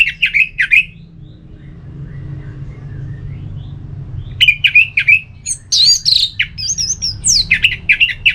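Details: Orange-headed thrush in ngeplong singing style, played to provoke another bird to reply: quick runs of chattering, repeated notes, then a varied burst of high whistles, squeaks and slurs before the chatter resumes.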